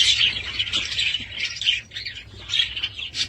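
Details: Pet budgies chattering in a busy stream of high, rapid chirps and warbles with brief dips in loudness.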